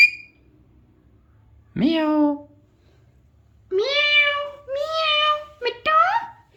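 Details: A talking Alexandrine parakeet in a quiet room gives a brief high whistle, then nasal, harsh speech mimicking "hello" and a falling "meow", with several longer speech-like phrases.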